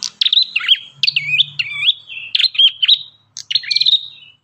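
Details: Ashy tailorbird song for training birds: a continuous run of piercing, bouncing notes that swoop down and up, with quick trills and a short break near the end; faint low hum beneath.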